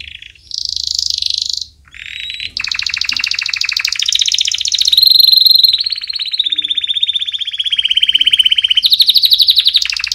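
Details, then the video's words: Canary singing as training for young birds: a brief buzzy note, then long continuous fast trills that rise, hold steady, and slide slowly lower, ending in a strong rolling rattle. "Canary Singing - Most Spectacular HD Video Training For Chicks"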